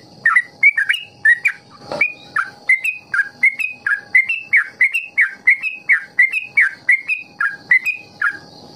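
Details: Trucukan, the Yellow-vented Bulbul, giving ropel song used to coax young birds to learn it; a fast run of clear whistled notes, each slurred up or down, about two per second, with a constant thin high tone behind.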